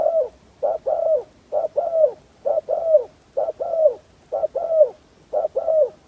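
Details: Decoy spotted dove used to attract wild doves, cooing steadily in paired notes, one clipped coo then a longer downward-bending coo, the pairs repeating roughly every second for six seconds with no other sounds.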